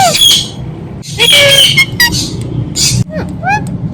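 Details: Indian ringneck parakeet, a pet talking parrot, giving loud harsh squawks and short harmonic, speech-like phrases in several bursts, with brief rising and falling whistled notes near the end and a low background hum.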